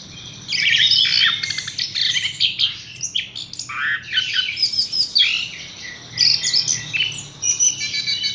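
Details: A caged Horsfield's bush lark delivers rapid, jumbled high-pitched twittering with sweeping whistles and scratchy trills in bursts, beginning after a half-second lull, with a soft low hum beneath.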